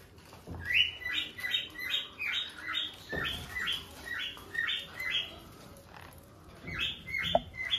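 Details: A hand-tame pineapple Green-cheeked conure gives rapid, squeaky chirping notes, two or three a second in uneven runs, with a few soft knocks and thumps nearby.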